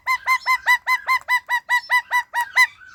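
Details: Rose-ringed parakeet kept as a talking pet gives a steady series of about twelve loud, clucking, two-toned notes, evenly spaced roughly four per second, with the last note trailing into a softer chatter.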